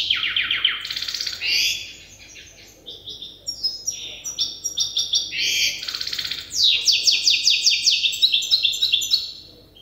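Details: Still in its learning phase and taught by an older hybrid, a young goldfinch hybrid delivers a lively stream of high chirps, fast descending trills and buzzy rattles in quick succession.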